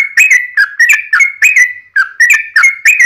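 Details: Fighting song of a yellow-vented bulbul, a lure to get other bulbuls calling: loud, rapid whistled phrases of two or three notes, some sliding downward, repeated almost without pause.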